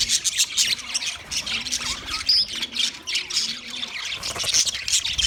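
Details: White male budgerigars making mating sounds, a rapid jumble of scratchy squawks and thin whistled chirps, one clear whistle rising above the chatter, over a faint low hum.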